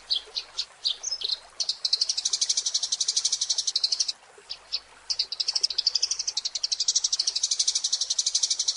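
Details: Eurasian tree sparrow, a caged-bird training recording meant for morning or evening use, giving rapid high chirps repeated about four per second in long runs, with brief pauses between bursts and no other sounds.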